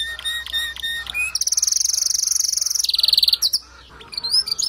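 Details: Male canary singing to prompt a female to build her nest quickly: varied tours of rapid trills, a long buzzy rolled trill on one high pitch, then a lower trill and short rising whistles.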